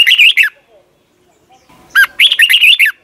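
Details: Caged Red-whiskered bulbul song in Thailand, used as a morning lesson for young birds; two fast warbled phrases of chirpy whistled notes, separated by a short pause.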